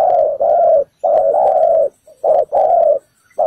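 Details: Ground decoy spotted dove calling to draw birds toward a trap: drawn-out, husky low coos run together in long notes, then two quick shorter coos, close and loud with little background sound.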